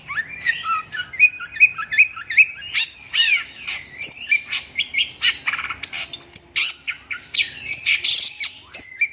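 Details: Long-tailed shrike singing a dense, varied run of chirps, squeaky notes and short rising and falling whistles, loud and quick-paced with brief gaps.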